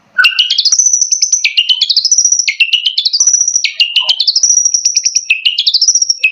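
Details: An East Javan pentet, or long-tailed shrike, sings a provocateur song: bright, rising runs of quick chirped notes climb to a high held tone, and the run is repeated about once every second.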